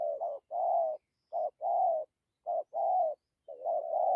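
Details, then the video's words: Low mellow cooing of a spotted dove, 'dặm kèm gù' style: three clear pairs of a brief note and a drawn-out coo about a second apart, ending on a longer, wavering coo. Nothing else is heard. "Thổ tốt tiếng gù tốt dặm kèm gù"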